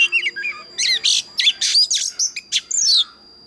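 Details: Oriental magpie-robin giving a loud, mature wild-type competition song meant to excite other birds, mixing short falling whistles with dense scratchy bursts in quick succession, a thin constant high tone running underneath.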